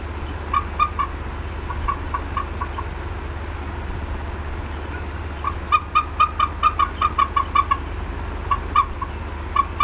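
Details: Female bald eagle, upset at the Decorah North nest on the afternoon of 18 April 2016, clucks in bursts: short clipped notes in loose runs, a pause, then a denser rapid string, with a constant low rumble beneath.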